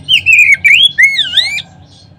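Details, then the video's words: Oriental magpie-robin song used as a lure recording to stir other magpie-robins into singing: loud, clear whistled phrases sliding down and up, ending in a swooping, overtone-rich whistle, then quiet. "Kacer manapun seketika terangsang berbunyi dengan pancingan ini."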